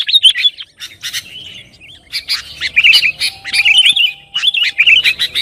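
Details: Lively sooty-headed bulbul song for provoking rivals: after an opening burst and short lull, repeated bubbly warbled phrases with clicky notes, about one per second, over faint low background noise.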